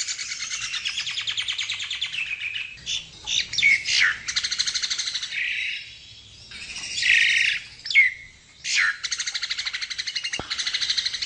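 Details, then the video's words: Javan myna (Acridotheres javanicus) sings a busy, chattering medley of fast rattling trills, harsh grating bursts and sharp whistled notes, with no other sounds. "Suara Burung Jalak Nias"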